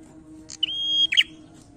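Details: Prinia singing its challenging 'narung' song: a short sharp note, then one long, steady, high whistle that ends in a harsh, buzzy, falling burst. One phrase with a quiet background.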